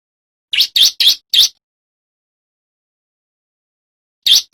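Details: Male bar-winged prinia in full voice for training and trapping: four quick piercing chirps, a long silence of nearly three seconds, then a single chirp starting again.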